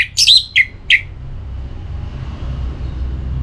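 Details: Orange-headed thrush from northern Bali near Singaraja, in breeding condition and calling a rival: a brief buzzy whistled phrase followed by two short sharp notes within one second, then steady low background noise.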